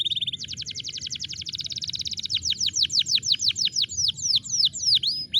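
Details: Canary song used to stimulate a silent bird: a short pure whistle, a long rapid even trill, then a run of loud descending whistled notes about three per second.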